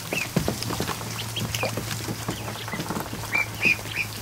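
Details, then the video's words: Afternoon in a barn with 100+ freshly hatched ducklings in a kiddie pool; brief shrill peeps, a few loud arched ones near the end, above a low steady hum and busy water splashes. "An Afternoon With 100+ Ducklings In A Kiddie Pool"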